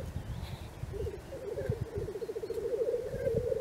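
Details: Morning lek of black grouse in Cairngorm National Park: a low burbling, rapidly pulsed call builds up and grows louder over a few seconds, with thumping low noise underneath.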